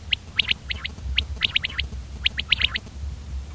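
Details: Common quail: quick, high, clipped notes in pairs and triplets, a brisk irregular rhythm of about a dozen notes over a few seconds, with faint low background hum.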